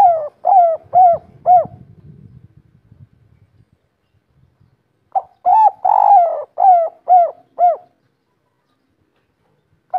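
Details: Local spotted dove, kuk 3 type, in full natural voice. Two bursts of mellow, arched coos repeat about twice a second, four notes and then seven notes, separated by a quiet gap with faint low noise.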